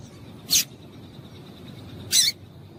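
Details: A female double-collared seedeater calls to get the male singing, producing a pair of short, high, piercing chirps roughly one and a half seconds apart, with quiet background noise between them.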